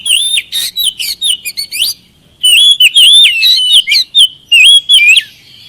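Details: Oriental magpie-robin song used as a lure to prompt lazy birds to answer: loud, varied whistled phrases with sweet slurred notes and sharp chips in two bursts separated by a short pause.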